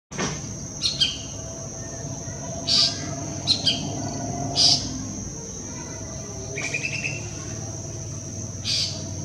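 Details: Golden-fronted leafbird chirping in the Western Ghats at Pawas, India: scattered sharp, high chirps and brief stuttering notes at irregular intervals, several seconds apart, over a steady shrill insect drone and low background rumble.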